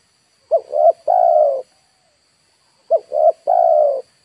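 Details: Spotted dove calling as a lure for wild birds, Indonesia: two phrases, each a short coo, a double-humped coo and a drawn-out steady coo, separated by about a second of silence.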